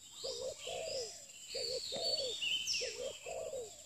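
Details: Spotted dove, a new pikat lure bird, delivering clear low coo phrases: a double note then a longer falling coo, repeated three times, over higher chirping birds.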